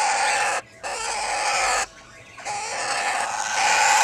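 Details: Red-winged parrot pair, two years old, with their first young aged 20 days. Sustained grating, noisy calls run for most of the moment, broken by two brief pauses.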